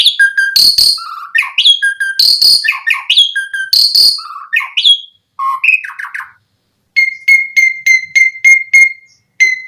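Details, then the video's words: Asian pied starling song to lure starlings: a repeated pattern of loud harsh bursts and whistles, then a pause and a steady series of about eight short identical notes. "Suara Jalak Suren Memancing Burung Jalak Biar Cepat Full Isian Mewah"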